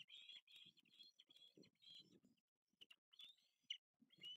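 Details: Osprey nestling at the Lipka nest on 6 August 2023, begging while being fed fish: quiet bursts of high, slurred piping notes with pauses, mixed with soft low rustling of feeding.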